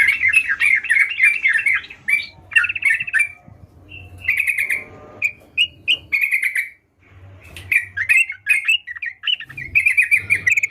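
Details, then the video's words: Sooty-headed bulbul in gacor song, alternating bursts of rapid warbled chirps with shorter clear whistled phrases. A quiet pause falls midway before the lively chattering resumes, over a faint low hum. "Burung Trucukan Gacor"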